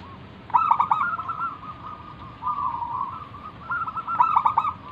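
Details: Singing zebra dove of local stock, played to lure other doves into calling: crisp staccato note bursts open and close rolling, purring coo phrases, all fairly loud above a light hiss.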